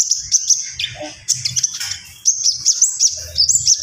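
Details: A common iora sings vigorously in a lively series of high, sharp whistled notes, each punctuated by short bright upticks, with a buzzy, rasping passage early on and steady high piping toward the end.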